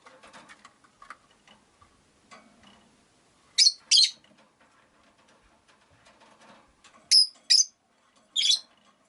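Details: Five rosy-faced lovebirds in a cage beside a window: pairs of loud, sharp chirps, two near four seconds, two near seven, one more later, with soft chatter and rustling between.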